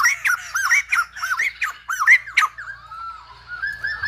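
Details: Short burst from a silver-headed babbler whose song is likened to a lumba dancer: a handful of loud, rounded, rising-and-falling notes in quick rhythm, trailing off into a soft drawn-out whistle over faint low hum.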